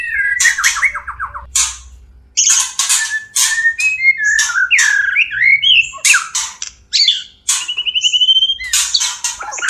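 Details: White-rumped shama (murai batu) mating song, played as therapy to bring caged birds into breeding condition; loud varied phrases of whistled slurs, harsh broadband bursts and a fast trilled note series, with brief pauses between phrases.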